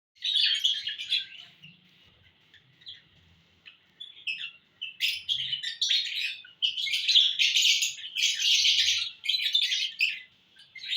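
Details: Lovebirds in a happy mood, recorded June 1, 2022, giving dense bursts of high, squeaky chirps and twitters that come in irregular clusters with brief quiet gaps, about four bursts per five seconds.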